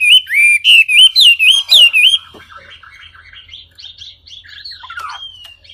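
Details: Wambi in clear song: about eight loud, ringing whistled notes in quick succession, each rising then dipping, over two seconds. Softer warbled twitters follow, with one drawn-out whistle near the end.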